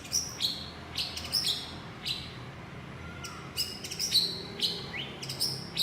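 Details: White-rumped shama calling its partner, giving short high sharp notes with clicky bursts, repeated roughly every half second to second, over a faint low hum.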